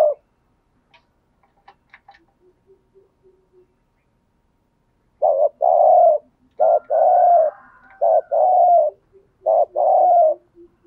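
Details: Captive decoy spotted dove used to lure wild doves, calling after a quiet start with faint soft clicks: a series of short, hoarse, low coos in grouped phrases, with a short note and then a longer drawn coo, repeated several times.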